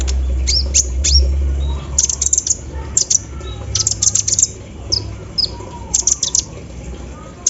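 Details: Caged kolibri ninja sunbird in lively song after morning misting, mimicking an embroidery machine: clusters of hard, high, rattling ticks and sharp chips in quick bursts, separated by brief pauses, with a low hum beneath.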